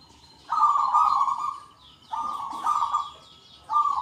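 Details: Local zebra doves in full song with a large 'kung' voice, calling back and forth in a lively chorus. A long coo is followed by shorter trilled coos that overlap and alternate, steady in pitch, against a quiet background.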